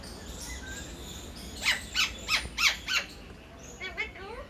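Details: Pet parrot that mimics words such as 'katori', meaning bowl; a run of five loud, harsh squawks about every third of a second, then softer rising chirps, over faint background noise.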